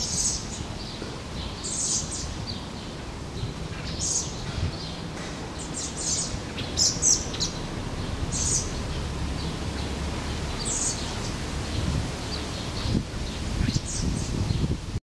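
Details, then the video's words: Common blackbird fledgling being fed by its parent on a park lawn in Helsinki, Finland, June 2013: short high thin squeaky calls repeated every second or two over steady low city rumble. "Interaction between Blackbird fledgling and parent in the park"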